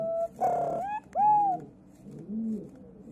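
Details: Flightless male White-bellied Green Pigeon in a rescuer's care in Yokohama singing indoors: a short whistle, then two long, rising-then-falling fluty notes, ending in a softer low hooting tail.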